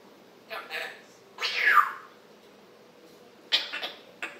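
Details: African grey parrot kept indoors, morning chatter recorded July 26, 2021: short scratchy bursts, then a loud squealing note sliding downward, followed by quick clipped chirps in a quiet room.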